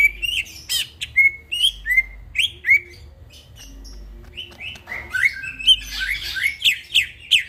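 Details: Greater green leafbird singing in the middle of the night in lively gacor style: a varied run of slurred whistled notes, some rising, some falling, broken by sharp buzzy chips, with a faint low hum underneath.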